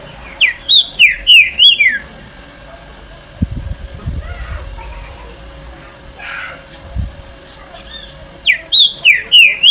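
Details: Green-winged saltator (trinca-ferro) singing the song style called "Eu Sou Terrível": two bursts of five or six loud, clear, slurred whistles, one at the start and one at the end, separated by low thumps and faint background noise.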